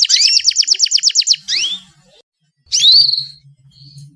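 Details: Female canary giving calls meant to prompt a male canary to sing: a rapid run of about a dozen sharp sweeping chirps, a short rising slur, a pause, then a bright descending whistle with a faint hum beneath.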